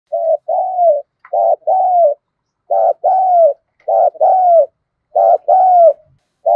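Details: Spotted dove kept as a decoy bird to provoke and lure wild doves, in the 'thổ sấm' voice style: paired low coos, a short clipped note then a longer downward-sliding one, repeated four times with quiet gaps.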